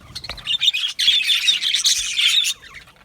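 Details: Aviary budgerigar chirping, a brief lead-in of clicks, then two seconds of busy, rasping warbled chatter that stops abruptly.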